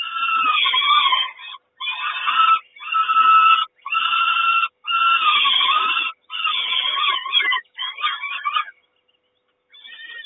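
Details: Peregrine falcons, Kawęczyn nest, 3 June 2022, mother bringing food in the morning: a steady series of nine or so rasping, drawn-out wails, each about a second long with short pauses, trailing off near the end.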